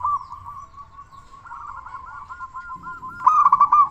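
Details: Loud-voiced local zebra dove, kept as a lure to make other doves sing, gives a long run of fast, evenly spaced soft coo notes that grow into a louder trilled phrase at the end.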